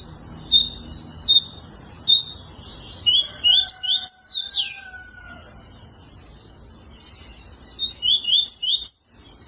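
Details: Double-collared seedeater, a Brazilian tournament singer, opens with a few clipped high chips, then bursts into a rapid twittering phrase of high, sliding whistles with a steady lower whistled tone beneath, pauses, and repeats a shorter twittering burst.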